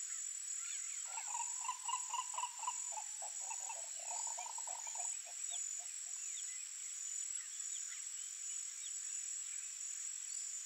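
A green ibis gives a rapid, rolling run of mellow, hollow notes lasting about five seconds, over a steady high-pitched insect drone.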